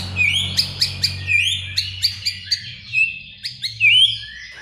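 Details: Young untrained white-rumped shama (murai batu bahan) song: a string of short whistled notes and sharp high flicks, some phrases sliding upward, repeated about twice a second, over a steady low hum.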